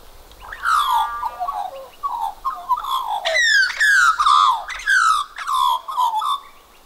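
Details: Australian magpie holding a cockroach in its bill, making unusual croaking noises beside a second magpie, perhaps courting or showing off; a series of rough, descending warbled croaks and squawky notes in uneven bursts, about two each second.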